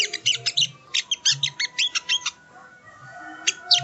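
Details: Ruby-cheeked sunbird, called sogon, singing for masteran training: a quick series of high, clipped chirps, then near quiet with a couple of isolated sharp notes and soft low pulses in the background.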